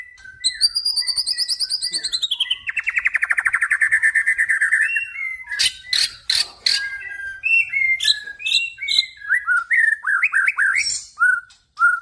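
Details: Song of a crossbred F series male white-rumped shama: a long, pulsing high trill sliding downward, then sharp clicks and a quick medley of short, varied whistled notes.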